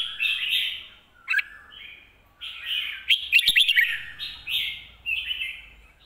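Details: Red-whiskered bulbul with 'lak wai' and 'mae bot' style song: a string of clear, warbling whistled phrases with brief pauses, one louder rapid chirping flourish in the middle, quiet background.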